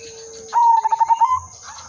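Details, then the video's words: Zebra dove, silver udanmas type, singing in a lively manggung style. It gives one coo of several quick throbbing pulses on a steady mid pitch, rising slightly at the end. Faint steady electronic tones run behind it. "burung perkutut/merbok silver udanmas gacor manggung irama merdu"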